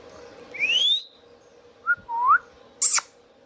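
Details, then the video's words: Indian ringneck parakeet kept at home: one long upward whistle, a brief low note and a lower rising whistle, then a sharp high squawk, with room hum behind. "Indian Ringneck parrot natural sounds | Ringneck parakeets sounds video"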